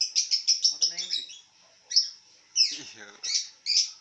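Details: Lovebird lying down and vocalizing: a quick run of shrill repeated chirps, then a pause, then harsher squawky notes and two loud high chirps.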